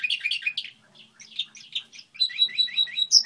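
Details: Brief stretch of song from a goldfinch hybrid: jumbled twittering notes, a softer pause, then a quick row of clear repeated whistles ending in a sharp high note.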